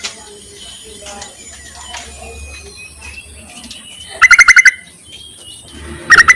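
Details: Yellow-vented bulbul calling to males, a call also used as a lure: two quick bursts of six or so bubbly, rapidly repeated notes, over background hum and faint distant bird sounds.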